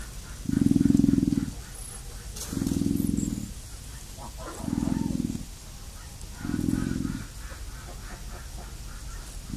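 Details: Stormy, a female emu, drumming in a backyard: deep, hollow booms, each about a second long, repeated four times at roughly two-second intervals over a soft background hiss.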